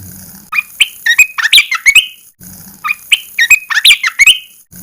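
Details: Red-eyed bulbul in a cage, singing as the cover is first opened after 14 days of therapy. It repeats twice a lively, bubbling phrase of warbled notes that rise and fall.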